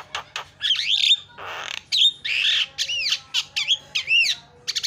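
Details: Javan myna lure recording meant to make other birds call, mixing harsh squawks, noisy rasps and looping whistled notes that rise and fall, delivered in quick bursts.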